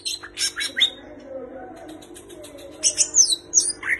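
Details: Greater green leafbird song filled with mimicked kapas tembak and cililin notes: loud harsh chattering bursts, a quieter stretch, then high sharp twittering notes, all over a steady low hum.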